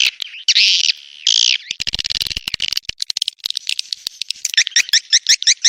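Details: Swiftlet lure sound of the 'Birahi Lintas Senja' style, 2023, played to attract swiftlets with a mating call: two long harsh buzzy notes, a stretch of crackling clicks, then quick paired twittering chirps repeated about twice per second.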